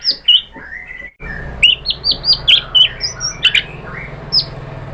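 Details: White-rumped shama song played as a lure to provoke other shamas: a string of sharp high chirping whistles, varied in pitch, spaced about a quarter second apart after a brief lower note.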